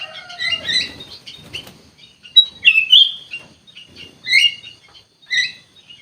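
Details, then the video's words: Kutilang emas bulbul in gacor song, opening with a descending lower whistle under chirps, then separate loud whistled phrases about every second with short silent gaps. "KUTILANG EMAS GACOR COR COR"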